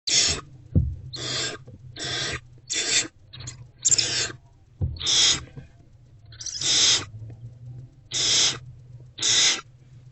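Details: Hungry barn owlet in a nest box, eating a rodent, recorded 29 February 2024 just after 1 pm: harsh, breathy hissing screeches, about nine half-second bursts in ten seconds, over a steady low electrical hum.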